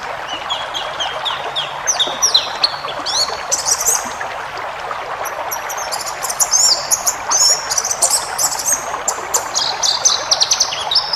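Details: Cage-bird tutor song of a forest-type white-eye: a quieter start of descending chirps builds into dense, high, rapid twittering in the second half, with persistent rushing noise underneath.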